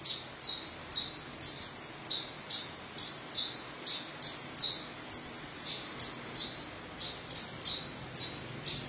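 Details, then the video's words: Van Hasselt's sunbird, the red-chested 'ninja' sunbird, singing busily: a steady run of high, sharp, slightly falling chips, about two per second and some seventeen in all, over a quiet background with no other clear sounds. "Kolibri Ninja Dada Merah Gacor"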